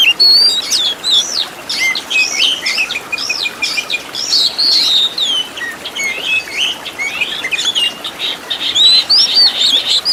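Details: Oriental magpie-robin song used as a master for caged birds, with rich fill-in phrases: fast, continuous chatter of sharp whistled notes and quick slurs, almost without breaks, many short notes packed closely together.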